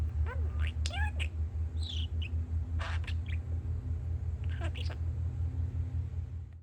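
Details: Pet budgerigar, a male, chatting in response to outside construction noise: scattered short squeaky notes and brief rising whistles, sparser toward the end, over a heavy pulsing low machinery rumble.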